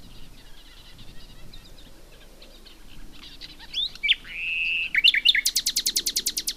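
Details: A nightingale opens quietly with scattered notes, swells into a long steady whistle, then bursts into a rapid series of hard, evenly repeated strokes delivered roughly a dozen per second.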